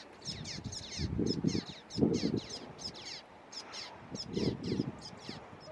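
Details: Juvenile Common Waxbills recorded on 30 November 2016 at Canidelo, Vila do Conde, Portugal: thin, high, downslurred notes in quick irregular series, over loud low rustling and thumping bursts.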